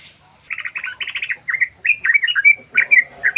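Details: Sooty-headed bulbul singing in the rapid ropel style used as a lure: bursts of quick chattering notes, then bubbly slurred whistles rising and falling in short phrases, over a steady thin high whine in the background.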